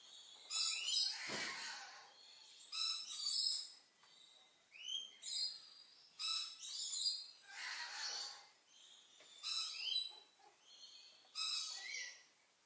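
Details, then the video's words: Two Purple-naped lories, a monogamous pair, quarrel and try to bite each other, probably about the nest: a rapid series of harsh, grating shrieks in bursts every second or so, repeated across the clip with brief pauses. "Purple-naped Lory quarrel"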